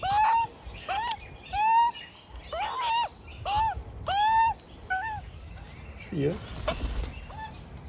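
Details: Juvenile Australian magpie with its parents at lunch in a front yard, calling a steady run of nasal rising-then-falling squeals, roughly one per second, then quieter notes at the end.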